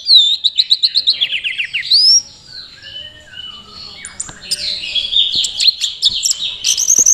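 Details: Orange-headed thrush in display showing 'teler' behaviour linked to breeding condition, singing a fast, varied song: rapid repeated high chips, then a sharp rising whistle and rich warbled phrases, amid clapping.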